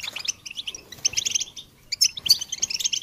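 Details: Goldfinch twittering for songbird training, broken into short chirpy bursts separated by brief quiet gaps, ending with sharper high notes.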